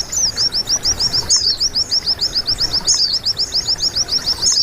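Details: White-eye song on a recording meant to get caged birds singing: rapid, regular, piercing chirp notes repeated about three and a half times per second, with faint overlapping twitters.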